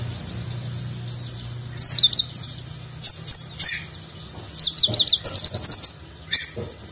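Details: Ornate nagen-style sunbird (konin) song used to train contest birds: a quiet start, then quick high chirps and a fast run of about ten sharp repeated notes, with a low hum beneath.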